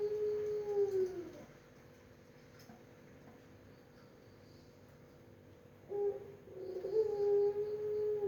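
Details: Barbary dove, described as melodious, giving a low, smooth coo that slides slightly downward and ends around 1.5 seconds, then silence, then a second longer coo phrase starting near 6 seconds, with faint room hum.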